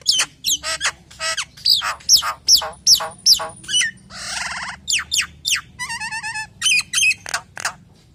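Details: Common hill myna song used to draw in other hill mynas: a fast run of loud falling whistles and squawks, then a raspy buzz and a stuttering nasal rattle, ending in sharp chips.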